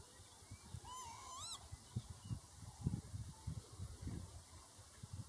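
A lapwing gives a single wheezy, slurred call that dips and then rises. A steady thin whine and low buffeting wind or handling thumps carry throughout.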